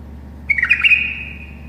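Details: A tame bulbul gives a single quick warbled phrase that slides into a long, even whistle and fades out. It sings to teach other bulbuls. A faint low hum runs underneath.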